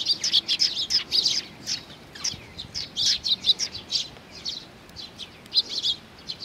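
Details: Eurasian tree sparrows flocking in for food at Mizukami Bridge, 4 June 2020, chattering loudly: dense runs of high, twittering chirps from several birds, briefly pausing near the middle before resuming in bursts.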